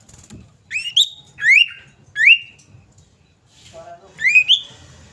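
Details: Female common iora calling for a male with a series of four bright rising whistles, each sliding upward, separated by short pauses, with a brief lower chatter near the end.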